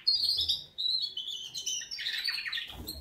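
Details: Canaries singing a wake-up song, a brief bright trill sliding downward, followed by a thicker buzzy warble before a faint thump at the end.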